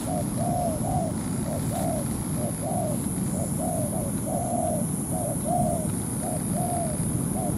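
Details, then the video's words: Ground decoy spotted dove cooing to entice a wild dove into a territorial fight: a long sequence of mellow coos alternating short clipped notes and longer rounded ones, over quiet steady hiss. "Bẫy chim cu gáy mồi đất"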